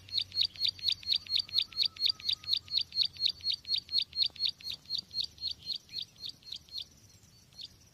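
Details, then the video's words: Bar-winged prinia lure call for trapping, a long even series of bright high chirps with falling flicks, about two per second, growing softer toward the end. "Suara pikat burung ciwa/cici glaga/ciblek sawa"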